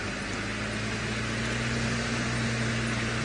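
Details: A steady roar of engine and fan-like noise with a low, even hum runs throughout during a sunrise safari drive, and no animal calls can be heard.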